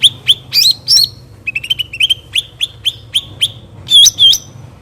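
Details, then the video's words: Cucak ranting bulbul recorded in nature, singing a busy run of sharp, high chirps and slurred whistled notes repeated several times a second over a low steady hum. "cucak ranting suara alam"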